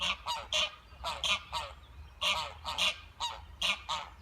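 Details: A duck family gives harsh, nasal quacks in quick doubled bursts, about two or three a second, with short pauses between runs.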